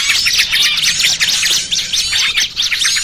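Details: Noisy trucukan and burcil kejepit combination used as an Indonesian lure for trapping small birds: a continuous mass of shrill, rapid chirps and twittering trills with many voices overlapping.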